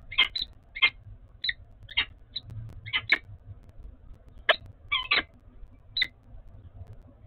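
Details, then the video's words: Peregrine falcon pair bonding at the nest in Oudenaarde, 11 February 2021: sharp clipped chupping notes, singly and in quick doubles, repeated irregularly over a low steady hum. "Peregrine Falcon - Bonding"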